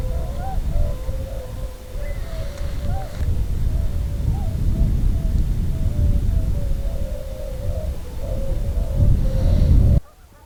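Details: An early-spring migrating flock of Tundra Swans flies overhead at a Lake Huron beach in Pinery Provincial Park, Ontario, a stopover on the way to northern breeding grounds, with ice still along the shore. They keep up a steady, overlapping babble of soft, mellow hooting notes over heavy low wind rumble.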